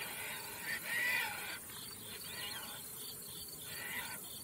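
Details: Caspian tern calling in flight: a harsh, rasping, drawn-out call lasting under a second, with fainter rasping notes after it, over a steady high insect-like drone.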